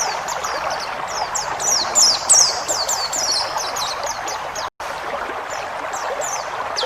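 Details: Pleci ngalas (forest-type white-eye) song used as a training recording for cage birds: rapid high thin downslurred whistles, tumbling quickly over a steady rushing, water-like background hiss, with one brief dropout.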